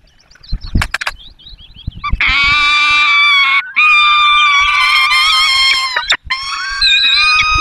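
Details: Peregrine falcons at a nest in the Barycz Valley, Poland, on 5 May 2022, as the male brings a small bird and the female feeds the chicks; loud harsh wailing with strong harmonics, sustained in long bursts after brief clicks.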